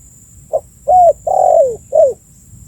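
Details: Spotted dove calling, recorded for use as a bird-attracting lure: a soft short note, then a rising coo, a long low coo sliding downward and a final falling coo, all mellow and hollow, with quiet background.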